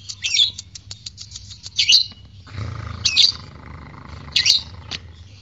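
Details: Calling lovebird, recorded as a lure for other lovebirds to sing: sharp, high chirps and clicks in irregular bursts, with a faint low rumble partway through.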